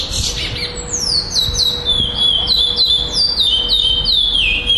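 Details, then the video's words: A black male Chestnut-bellied seed finch sings at a contest in Florianópolis, Brazil, December 2011, taking second place. A string of about a dozen evenly spaced falling whistles runs steadily, accompanied by a faint continuous hum. "GUARA 2º LUGAR FLORIANOPOLIS PRETO COM REPETIÇAO TORNEIO 11-12-2011"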